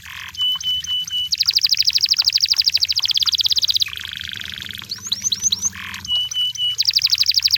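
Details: Canary singing in the wild: fast buzzy trills and rolling tours shift between high steady whistled notes, long rapid rattles and quick rising-falling slurred notes, switching pattern every second or two.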